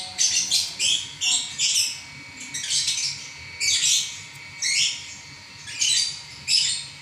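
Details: Lovebird singing non-stop, a run of rapid shrill chirps and scratchy squawks in uneven bursts, some louder and longer, separated by short gaps.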